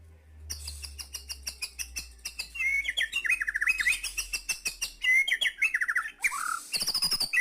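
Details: Vigorous white-rumped shama song, fast runs of sharp clicking notes mixed with fluid whistled phrases and warbles, continuous and varied, with a loud rasping burst near the end and low hum underneath at first.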